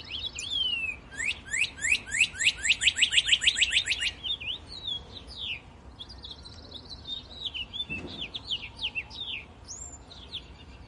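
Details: A Northern cardinal in the snow gives a fast run of about a dozen rising, slurred whistles, then scattered thinner whistles and chips over a soft background hiss.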